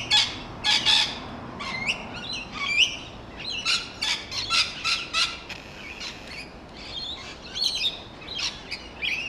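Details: Several rainbow lorikeets feeding on a large grevillea in a back garden give harsh, shrill screeches and chattering squawks in quick irregular bursts, with short sharp notes overlapping throughout.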